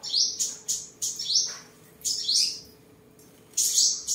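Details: Captive seven-colour sunbird in Đồng Nai, Vietnam, recorded 23 July 2022 while singing, displaying and sparring; sharp high descending squeaky phrases come in quick succession, with brief gaps and a faint constant hum behind.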